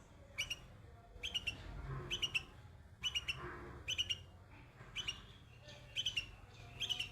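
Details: Baby bulbul perched on white flowers, giving quick bursts of two or three high clipped chirps about every second, with a soft low hum underneath.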